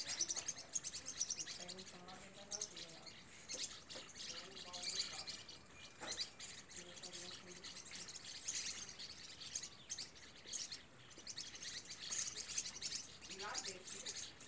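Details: Several green-rumped parrotlets in the Rio Real valley give a steady stream of high, sharp chirps and buzzy twitters, overlapping throughout, while a person talks softly in the background.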